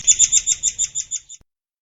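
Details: White-crowned forktail recorded as master audio for training songbirds: a run of about nine thin, piercing, evenly spaced high notes over a little more than a second, then silence.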